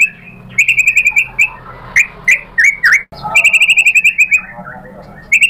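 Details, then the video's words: A provoked white-rumped shama repeats quick chirped notes in fast series, interspersed with short swooping whistles, over a faint low hum. "MURAI BATU GACOR memancing EMOSI jadi NYAUT BONGKAR MATERI ISIAN"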